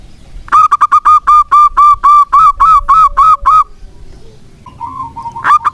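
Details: Zebra dove of local stock giving a lure song for doves that have gone quiet: about fourteen ringing, evenly paced coos in one run, followed by faint low murmurs and a new start.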